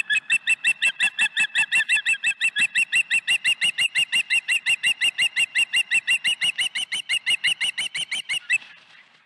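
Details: Osprey chicks at night: a long fast series of sharp, high piping chirps, evenly spaced at about three per second, keeping a steady rhythm before trailing off.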